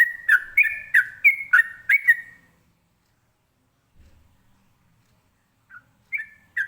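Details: Trucukan, the sooty-headed bulbul, in ropelan song used to make other birds reply: six quick clear whistled phrases in about two seconds, then a pause with a faint low thump, then a few whistles resuming.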